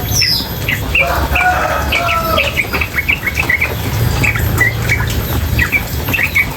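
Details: Female sooty-headed bulbul singing continuously over running water: short bright whistled and chirpy notes repeated in quick runs, with a steady low rush of water beneath.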